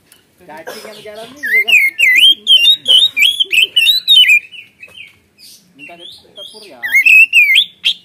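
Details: Oriental magpie-robin in gacor ngeplong lure song full of varied mimicked phrases: low chattering notes rising into a fast string of loud, wavy whistles, a brief lull, then more clear whistling.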